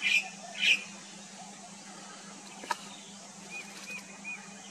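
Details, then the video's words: Indian blackbird, a species found mostly in Koyna Wildlife Sanctuary in the Western Ghats, India, gives two sharp, high calls, then three soft, slurred notes about half a second apart, over a low steady hum and a single click. "Indian Blackbird"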